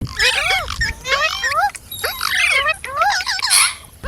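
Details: Ringneck parrot talking and singing: bursts of squeaky, warbling, speech-like chatter with rapid rising and falling whistled notes, broken by short pauses.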